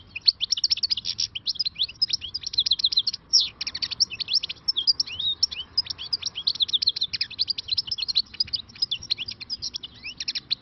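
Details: European goldfinch, wild-caught and freshly trapped, delivering an unbroken, rapid stream of liquid twitters, chirps and short buzzy trills for over ten seconds, with one brief pause near the middle.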